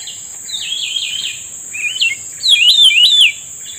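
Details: Grey-bellied bulbul answering a lure during trapping: a rolling whistled phrase, a short dipping note, then a loud, fast warble of up-and-down notes, with a steady insect hum throughout.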